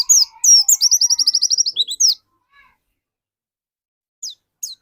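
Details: Caged dakun white-eye in full voice, used as a lure for others: a dense high-pitched twitter with a steady rapid trill of repeated notes, then near silence broken by two faint chirps.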